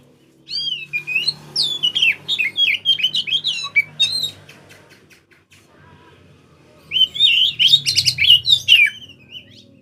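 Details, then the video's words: Oriental magpie-robin singing as a lure for other birds, day and night: two long loud passages of rapid, varied whistles, slurs and harsh chatter, separated by a quieter stretch, over a faint low hum. "kacer gacor siang malam cocok buat pancingan"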